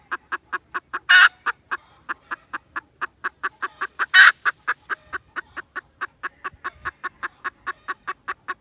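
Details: Red junglefowl, recorded 16 December 2021, repeating clipped clucks in a long, even run of roughly three per second, broken twice by a loud harsh burst, with otherwise quiet surroundings.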